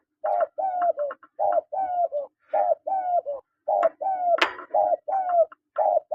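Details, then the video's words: Spotted doves, a male and a female, calling steadily: repeated three-note cooing phrases, each a short note, a longer falling coo and a clipped final note, about one phrase per second, with occasional sharp clicks. "SUARA PANGGILAN TEKUKUR JANTAN DAN TEKUKUR BETINA"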